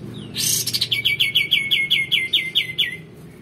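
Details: Vigorous singing of a male white-eared bulbul meant to tutor magpie-robins and other songbirds: a rasping burst followed by about twelve evenly spaced, clear, down-slurred chirps.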